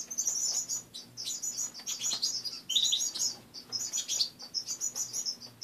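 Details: Pet finches in a partly emptied cage chirp continuously in the morning, dense high twittering notes with a brief lower trill near the middle, over an indoor hum.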